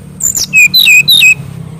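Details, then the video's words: Mangrove whistler, used as master song for young birds: a short, loud phrase of four or five clear whistles, each a quick dropping or level note, close together. "BURUNG SRDC ISIAN GACOR FULL"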